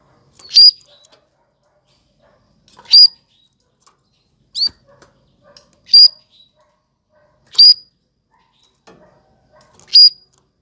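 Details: Canary in 2020 giving single sharp high chirps, one every one to two seconds, with silence between them.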